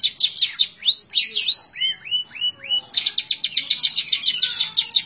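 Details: A long-tailed shrike sings tembak ngebren style: quick chips, then a row of slurred downward whistles, then a dense burst of rapid high notes.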